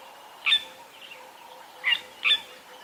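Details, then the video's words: Fork-tailed drongos calling in the morning along a drainage line among many birds and insects: three sharp, harsh metallic notes, one alone and then a close pair, over a steady background hum of insects. "So I wanted to just sit here for a little bit and listen, because there are some beautiful fork-tailed drongos calling."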